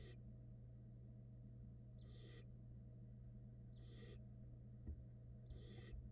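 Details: Fed barn owl nestlings in a Florida nest box cam, 2022 season, a chick swallowing a rat; fainter rasping hisses repeated about every two seconds, four in all, against a steady low electrical hum.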